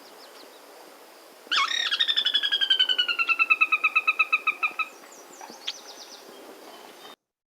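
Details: A sora's whinny from a marsh, given by males and females to defend territory and keep in touch: a rapid run of about twenty clear whistled notes sliding steadily downward over three seconds, then a few faint high chips.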